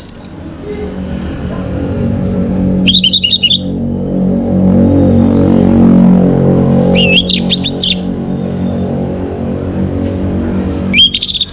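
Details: Orange-headed thrush in the morning, recorded to bring birds into breeding condition: three brief, high, chattering bursts several seconds apart, set against a droning, tonal low background hum.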